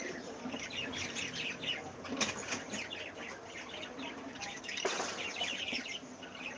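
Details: Cockatiels in a breeding setting with chicks expected soon, giving dense overlapping chirps and short rising squeaks from several birds at once, with bursts of wing flapping around two and five seconds.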